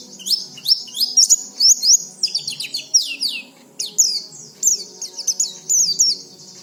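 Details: Repeated high, sweeping twitter phrases from an oriental white-eye, each about half a second, played to untrained white-eyes so they start singing quickly.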